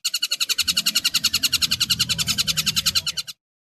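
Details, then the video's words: A kingfisher (tengkek buto) gives a loud, harsh rattle of about nine rapid, even notes per second, lasting over three seconds and stopping abruptly, in a recording with 10-second pauses used to train shrikes. "suara tengkek buto"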